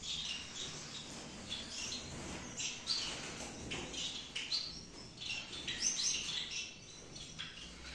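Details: Several Gouldian finches calling in a breeding aviary in Peshawar, Pakistan: a busy mix of high chirps and short tweeting notes from a number of birds, over a constant hiss.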